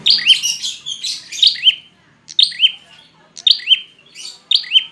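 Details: Prinia calling, used as a lure to prompt lazy or stressed birds to sing: clusters of high, sharp chirps with bent notes, each burst about a second apart, loud and clear.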